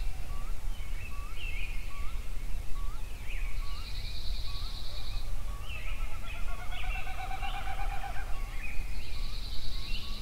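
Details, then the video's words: Several songbirds singing at sunrise in Yellowstone: a short note repeated about every half second, with buzzy trills and warbled phrases higher up layered over steady low rumbling background noise. "Sunrise Songbirds at Yellowstone"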